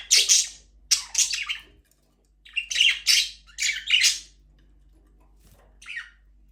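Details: Budgerigars kept in an aviary where breeding has started and the first chick has hatched, uttering loud, grating squawks in pairs and short bursts separated by brief silences.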